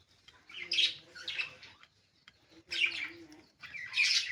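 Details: Budgerigar chirps come in three bursts of high, scratchy twitter, each lasting about a second with quiet spells between, while a steady low tone runs faintly underneath.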